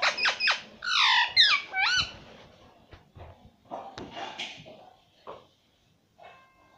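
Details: Pet ring-necked parakeet repeating "mummy" indoors: quick clipped syllables followed by loud harmonic, curving voiced sounds, then quieter scattered utterances fading out.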